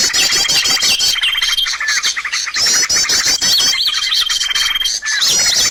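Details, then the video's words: Lure sound for trapping birds: a busy, high-pitched chorus of twittering chirps and fast trills. A long level whistle is followed by short rising and falling notes. "SUARA PIKAT BURUNG"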